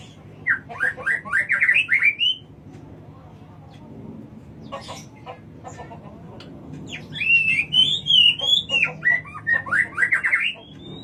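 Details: Murai batu, the white-rumped shama, at Jatiuwung delivers bursts of quick slurred whistles, a short quieter pause with scattered clicks, then another lively stream of twisting, rising notes.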